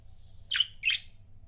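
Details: Two quick, bright chirps a quarter second apart from pet budgies, sharp and slightly downslurred, over a low steady hum.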